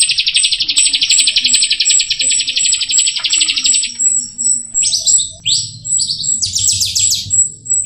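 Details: Jalak rio myna song: a long buzzy pulsed rattle breaking into sharp descending chattering notes, with thin high whistles running throughout.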